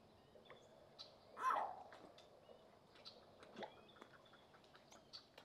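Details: Green heron at Everglades National Park's Anhinga Trail in the marshes gives one loud, harsh, descending "skeow" squawk, then a fainter rasp a couple of seconds later; soft chirps and ticks of other birds continue behind.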